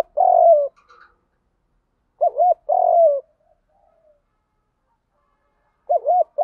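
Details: Spotted dove cooing continuously in the field fighting style to provoke wild doves. A falling hoot, then a bouncy double note and another long coo, and a further double note after a pause. The setting is quiet.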